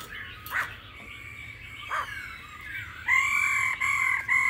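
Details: Laughingthrush singing in an old-forest voice alongside a female's calls, aimed at stimulating males: faint scratchy notes, then louder sustained whistled tones repeated in short blocks toward the end.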